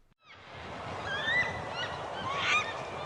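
A Yellow-tailed Black Cockatoo gives loud, drawn-out wailing calls that waver and rise, over a steady background hiss.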